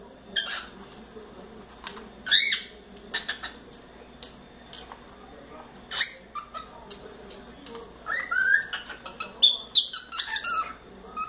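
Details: Four-month-old pet cockatiel at play on its playground and swing, giving scattered short chirps and brief whistled notes among sharp clicks and taps from its play.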